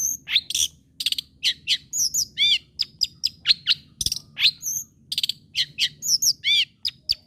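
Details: A long-tailed shrike sings busily, a recording used to provoke rival shrikes to keep singing: high whistled slurs, sharp clicks and repeated arched notes tumble together in a continuous, varied medley.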